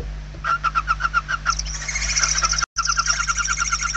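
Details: Hungry barn owl nestlings in a nest interior in Spain, 28/11/2023. A loud, rapid series of short, scratchy pulsed notes gives way to a continuous harsh chittering rasp from several chicks, broken by a brief dropout.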